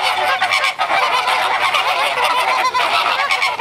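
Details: Flamingos calling together at Brownsville, Texas, during spring breeding display behaviour, as the flock escalates its noise before running off. Many birds are heard in an unbroken wall of harsh, nasal honking and gabbling.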